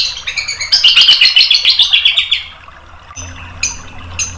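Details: White-rumped shama tutor song, played to stir a bird's emotions so it replies loudly: a fast run of sharp high chirps, about four per second, swelling into a dense trill, then a quiet pause and a few isolated bright notes.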